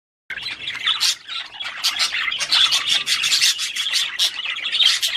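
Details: Budgerigars, Australian parakeets, singing to encourage mating: dense continuous warbling chatter of squawks, clicks and chirps, several birds overlapping without pause after a brief silence at the start.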